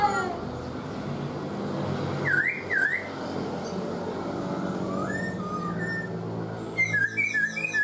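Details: Caged black-throated laughingthrush, kept four months, giving two loud V-shaped whistles, then after a pause a pair of lower slurred notes and a burst of rapid high chirps at the end, with steady background hum.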